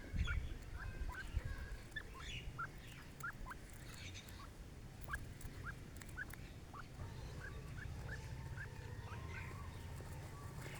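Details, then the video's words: Partridge pair calling: a string of sharp, rising chirps repeated roughly twice a second, growing fainter toward the end, over a constant low droning hum. "Dakne teetar jora"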